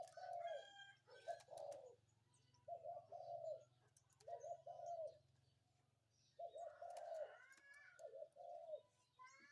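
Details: Spotted dove calling in the morning: a series of low, mellow cooing phrases, each a couple of quick notes then a longer drawn-out coo, given six times with short pauses, over a steady low hum and faint chirps of other birds.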